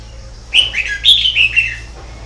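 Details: Red-whiskered bulbul singing continuously: one loud, clear, whistled phrase of several quick notes that rise and fall in a lively warble, with a brief high note near the middle, over low steady background hum.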